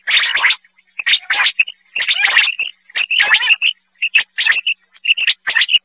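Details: Quail call recording used to lure birds when hunting: clusters of scratchy, buzzy chirps separated by short pauses, each cluster often ending in a brief clear whistled note, repeated roughly every half second to second.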